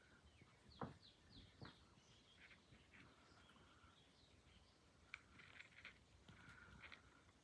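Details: A baby budgerigar gives soft, scratchy chirps and brief warbled notes over a low background hum.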